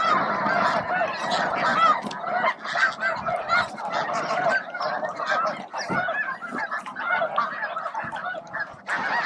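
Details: Huge flock of snow geese, with a few Ross's geese scattered among them, feeding at Bosque del Apache around noon; a constant clamour of honks rising and dipping in loudness, with short gaps near the end.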